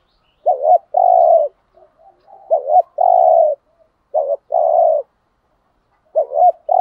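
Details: Spotted dove from Dak Lak, Vietnam, kept as a lure for rival males, repeats its cooing phrase: a quick doubled note leading into a long mellow coo, four times in seven seconds, with a few soft murmurs between.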